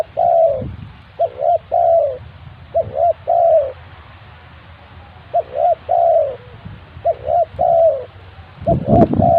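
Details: Spotted dove kept as a lure bird for trapping, cooing in short phrases of two or three mellow, slightly wavering notes, with pauses of about a second between phrases and some rustling near the end.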